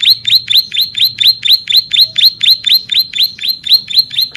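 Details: Vigorous Bar-winged prinia song for training and luring birds. A rapid, unbroken string of some sixteen bright, high chips, each sharply rising then dropping, with a faint low hum behind.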